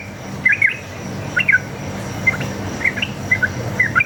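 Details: Sooty-headed bulbul lure song in the rapid 'ropel' style: scattered short whistled chirps in small groups with gaps between them, over steady insect buzz and a low hum.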